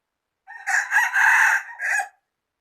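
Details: Rooster crowing, one full crow in four connected parts: a short rising opening, two loud sustained middle notes, then a separate falling final note, harsh and strongly harmonic; no other sounds.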